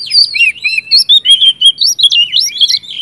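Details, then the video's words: Oriental magpie-robin singing vigorously to provoke other magpie-robins: dense continuous warbling of quick high whistled notes, swooping up and down in rapid succession. "kacer gacor ngeplong Sangat cocok buat pancingan kacer macet"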